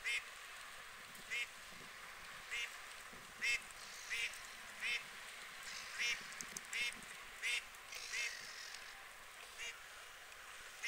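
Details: UK water birds: white geese honking steadily over eleven seconds, brief nasal blasts repeated roughly every 0.7 seconds, with a faint hiss of background noise.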